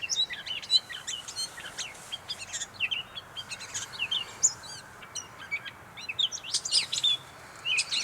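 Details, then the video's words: Gray catbird at North Tetagouche, New Brunswick, singing a rapid jumble of short, varied squeaky and chirpy notes, high-pitched and nearly continuous, with brief pauses between bursts over a quiet rural background. "Gray Catbird"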